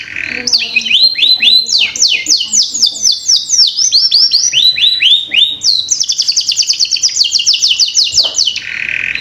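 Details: Canary song used as a lure to get young canaries singing quickly: continuous fast runs of high downward-sweeping notes rolled into trills, opening and closing with a short harsh buzzy note, delivered loud and unbroken.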